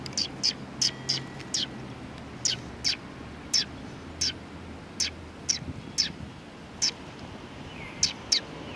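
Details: Sparrows on a table at a community hall, recorded 28 June 2020: single sharp, high chirps spaced irregularly, roughly every half second to a second, over a quiet low background.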